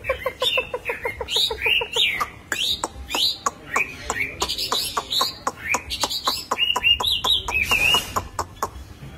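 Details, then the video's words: Singing Chinese hwamei in the khiển khách style, belly puffed out: a fast run of short repeated notes, then loud rising-and-falling whistled phrases repeated in bursts, with rapid clicks between them. "Họa Mi Hót | Hoạ Mi Hót Khiển Khách, Bụng Xoè"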